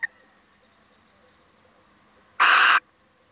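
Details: After a faint click and long quiet, a visiting male little owl bursts out with one short, harsh, rasping screech.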